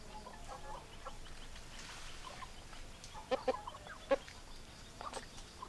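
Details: Hens and roosters in a quieter stretch of clucking. Sparse, soft clucks are followed by a few sharp, louder notes near the middle and later.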